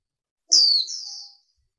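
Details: Single female warbling white-eye call: a sharp, high whistle sliding down, then trailing into a steadier, lower drawn-out note.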